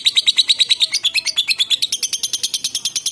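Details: Kept lovebird from Palembang, recorded as a lure to coax other lovebirds into singing. Quick, evenly spaced high chirps shift partway through into a thinner, even higher-pitched buzzy series.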